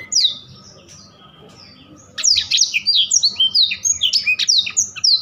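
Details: Blackthroat gives a few high notes, falls nearly silent for about two seconds, then bursts into rapid rolling ngerol song of repeated high whistled phrases and down-sweeping slurs in quick pulses.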